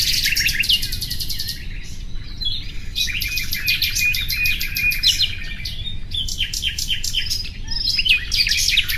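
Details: Common nightingale song with several rapid rattling trills of repeated notes, separated by brief pauses, some phrases rising into high chattering, steady low rumble underneath.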